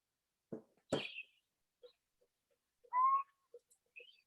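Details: Little Owl song played back: one clear, mellow, slightly rising hooting note of about a third of a second near the end, after scattered soft clicks and a brief sharp noise burst; in most cases the song is a single repeated note.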